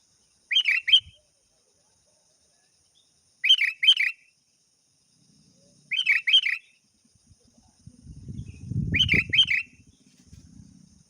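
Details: Sooty-headed bulbul calling a rival, a lure call. Short bubbly chirping phrases repeat roughly every three seconds, four times, and a low rumbling noise rises near the end.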